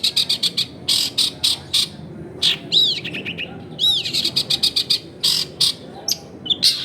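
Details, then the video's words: Long-tailed shrike singing as a lure to make other shrikes respond: rapid clipped chirps, rising-then-falling whistled slurs twice, and bursts of scratchy notes. "SUAR BURUNG CENDET GACOR COCOK BUAT PANCINGAN CENDET BAHAN BIAR IKUT BUNYI"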